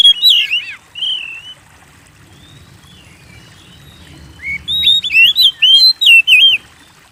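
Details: Oriental magpie-robin pouring out lively song meant to provoke kept birds: an opening tumble of slurred whistles, a long quiet gap with faint background noise, then a rapid run of looping, warbled whistles topped by high ticks.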